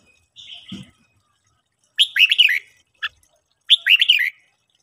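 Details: Red-whiskered bulbul in training sings in the morning: a soft trailing note, then two lively warbled phrases broken by a single sharp chip.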